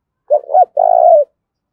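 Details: Spotted dove in a hard 'thúc' contest, thổ pha đồng voice style, giving one phrase: two quick hoarse upslurred notes followed by a sustained, gently falling throaty coo, in silence.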